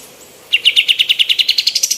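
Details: Female white-eared bulbul, kept as a training voice for other birds, opening with a quick string of bright chirps that climb steadily higher in pitch and speed up toward the end.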